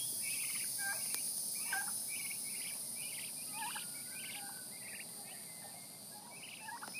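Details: Happy turkey poults dust-bathing give a scatter of short, high chirps and a few softer falling peeps, several birds at once, over a steady insect hiss.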